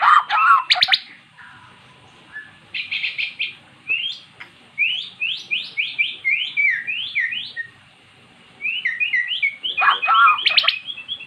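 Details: Formerly silent magpie-robin responding to recorded song of its species; rasping bursts framing a run of quick, evenly repeated rising whistles, then a short pause and more chattering.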